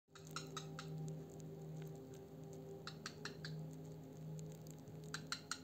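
Rapid keyboard typing clicks over a steady electrical hum indoors, with no animal sound.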